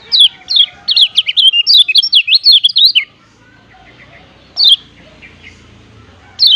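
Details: A Lombok yellow white-eye gives a rapid run of high, thin, chirping "ciak ciak" notes for three seconds, then single high chips after pauses; a tutor and lure recording to draw other white-eyes close.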